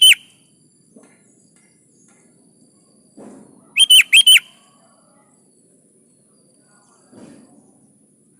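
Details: Energetic kutilang (sooty-headed bulbul) song used to prompt other birds to sing: short, loud, liquid whistled phrases of two or three notes, separated by several seconds of near-quiet with faint low rustles.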